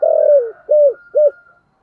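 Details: Spotted dove cooing in the earthy 'giọng thổ sấm thúc gù' style: a long, low, falling coo followed by two shorter arched notes, with a faint higher tone beneath.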